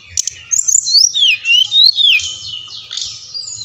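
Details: Brown-chested jungle flycatcher song to stimulate singing in captive birds: a rapid run of looping, descending whistles for about two seconds, followed by a softer, drawn-out high rasp, with faint low hum.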